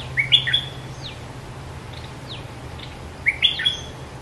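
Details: During pairing and nest building, a scarlet-backed flowerpecker sings two quick phrases of high, thin, squeaky chirps about three seconds apart, with faint fainter notes between and a low steady hum.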